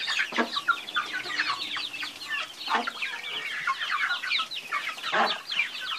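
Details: Group of chickens with a steady wash of high twittering peeps, punctuated by three distinct deeper clucks spaced a couple of seconds apart.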